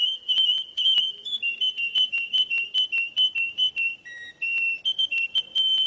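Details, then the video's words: Russian canary, a captive breed, singing a rapid run of clear whistled notes held on a steady high pitch, broken by short pauses and brief lower and higher steps, notes pulsing several times per second. "Kicauan Burung "KENARI RUSIA" Russian Canary"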